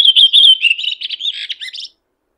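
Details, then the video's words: Red-throated thrush (Turdus ruficollis) in nature delivering a song phrase: bright, pulsing whistled notes at first, then quicker, scratchier twitters and a low buzzy note before it falls silent. "Red Thrush Singing.(Turdus ruficollis)."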